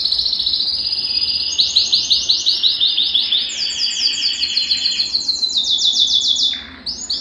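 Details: Belgian canary sings a long, unbroken run of rapid, high trills, each rolling passage shifting pitch every second or so, used to stir other canaries into singing; nothing else heard.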